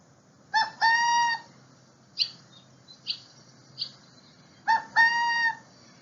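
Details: Burrowing Owl, a small ground-dwelling owl rare in Santa Clara County, giving a two-part call, a short note then a longer, even, reedy note, twice about four seconds apart, with brief chirping notes between.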